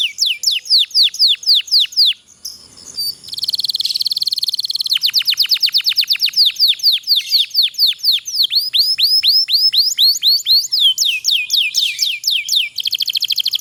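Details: Long-rolling 'pocong' canary song used as a tutor to spur lazy canaries into singing; fast repeated downslurred whistles, a brief dense buzzy roll, then long runs of rapid sweeping notes at a steady quick rhythm.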